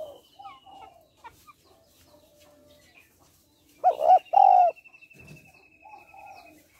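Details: Female spotted dove giving a stimulating call to males: a single clear two-part coo midway, short warble then long mellow note, while another bird holds a thin, steady high whistle and light chatter continues.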